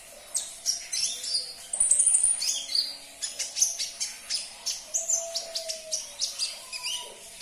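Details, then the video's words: Olive-backed sunbird (konin) used to stir caged birds into singing: a fast, continuous twittering song of high, thin notes, some whistled and descending, repeated several times a second throughout. "Putarkan 1 menit saja video ini KONIN anda pasti langsung nyaut"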